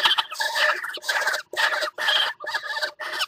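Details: Northern goshawk calling during mating at the nest on a water tower, February 2018; loud, harsh, nasal cackling notes in bursts of about half a second, repeated steadily.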